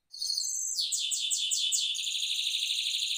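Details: Rolling song of a caged goldfinch mule: a steady high whistled note breaks into a fast rapid trill of repeated sweeping syllables, then a dense rolling buzz, loud and continuous.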